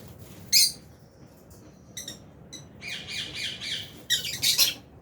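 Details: A lovebird flock of albino and Fisher's birds in an aviary gives a loud high squawk, a few thin chirps, then a run of harsh, buzzy chattering notes that builds toward the end.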